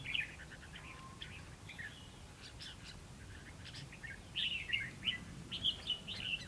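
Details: Red-whiskered bulbul heard during a trapping session on 11 November 2016, singing short bright chirpy phrases: a quick burst at the start, scattered thin notes, then a lively run of sharp warbled notes in the last two seconds.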